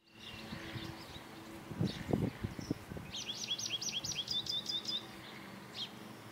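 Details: An American goldfinch sings loudly in the background as a male Baltimore oriole forages in an apple tree before the blossoms open: a quick, bright run of about a dozen high twittering notes in two seconds, over soft rustling and low thumps.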